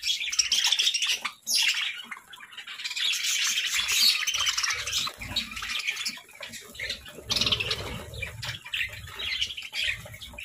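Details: Steady, high warbling chatter from pet parakeets, a dense run of chirps and trills with a short gap after one second and soft low knocks in the background.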